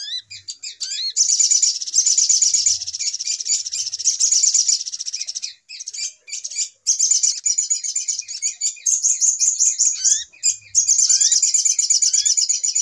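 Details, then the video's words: Noisy trapping lure of little spiderhunter calls: long, continuous runs of fast, very high chittering with occasional short upward-sweeping whistles and a few brief pauses. "Suara Pikat Ribut Burung Sogok Ontong"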